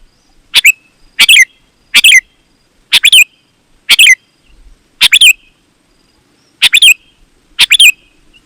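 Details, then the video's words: Sooty-headed bulbul singing as a lure for other bulbuls: eight short bright bursts of paired chirpy notes, each with a brief ringing tail, coming in quick succession in a quiet setting. "Suara Burung KUTILANG GACOR, Ampuh Untuk Suara Panggilan Burung Kutilang AUTO Ikut Gacor"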